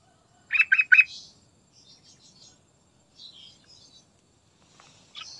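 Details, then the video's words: A sooty-headed bulbul gives three quick, bright chirped notes, then fainter, scratchy twitters and a final sharp note. "Trucukan Gacor"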